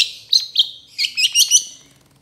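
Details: Long-tailed shrike (cendet trotol) in a training recording for other birds: a short, bright outburst of high twittering and squeaky notes that fades away.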